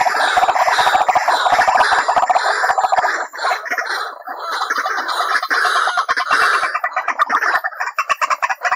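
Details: White-breasted waterhen lure call for trapping. Loud, rasping, overlapping croaks form a dense chorus. Near the end it breaks into quicker, separate pulsed notes.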